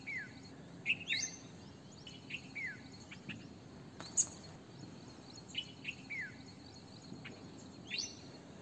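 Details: Red-vented bulbul giving short, sharp chirps that slide downward, mixed with quick upward-sweeping notes, in irregular clusters every second or so over a steady faint hiss.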